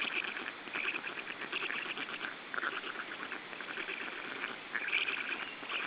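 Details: Black Stork chicks in their third week of life, Estonia, 14 June 2013, begging at feeding. They keep up a dense, scratchy, wheezing chatter of rapid overlapping calls, rising in bursts as food arrives.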